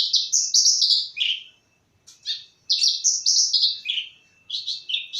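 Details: Bush lark, a caged bird, giving krece-style song: fast series of sharp chirped notes stepping downward in pitch, repeated in bursts with short silent gaps, a faint steady tone underneath.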